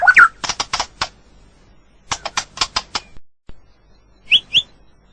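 White-rumped shama opening with a swooping whistle, then two bursts of rapid dry clicking ticks, and ending with two bright, sharp whistled notes.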